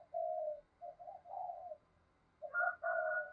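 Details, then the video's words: Spotted dove used as a decoy to lure wild birds, cooing at low volume: several soft hooted notes over a faint background hiss, then louder coos joined by a higher, steady tone. "Chim Cu Mồi Gáy Gọi Cực Đỉnh, tiếng chim cu gáy kích bổi hiệu quả mỗi ngày"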